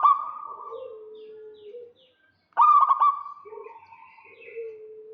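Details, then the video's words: Local zebra dove luring a rival as males and females call back and forth: fading softer coos, a short silence, then a single loud stuttering trilled burst followed by low drawn-out notes. "Perkutut lokal GACOR KEROT MANCING LAWAN"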